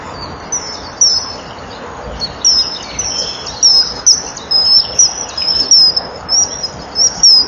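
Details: Male common kingfisher calling at the breeding-wall nest in the morning in April while the female enters the tunnel; shrill, thin high whistles repeated roughly every half second, clear over a steady background hiss.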